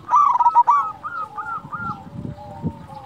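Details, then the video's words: Local zebra dove with a loud, melodious voice, a lure to get reluctant doves singing: loud harsh notes at the start followed by a descending series of evenly spaced rounded coos, a lower sliding tone underneath. "Perkutut lokal gacor Suara Besar Merdu Cocok Untuk Pancingan Perkutut Malas Bunyi"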